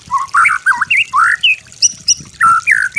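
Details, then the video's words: Master song of a white-rumped shama for training: rich, varied warbling phrases, slurred up and down, mixed with squawky notes and a few very high pips. "MASTER MURAI BATU YANG GAMPANG DITIRU"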